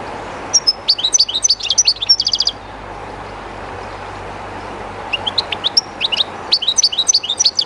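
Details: A captive European goldfinch beside the Jerte River sings two bursts of quick, high twittering with a short metallic trill. A pause of about two and a half seconds separates them, filled only by the steady murmur of running water.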